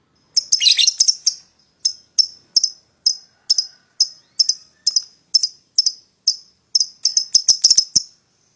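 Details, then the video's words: Lovebird lure song meant to get another bird singing: a brief harsh chatter followed by steady, evenly spaced high ticking notes, speeding into a rapid flurry near the end. "PASANGAN LOVEBIRD PAUD,!Pancingan Memanggil Lawan Agar Ikutan Bunyi"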